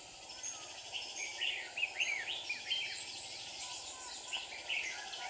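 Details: Red-whiskered bulbuls in Hòa Bình, Vietnam, with two decoy birds in a trap luring wild birds: bright chirpy phrases of several notes come in quick succession, overlapping at times, over steady hiss.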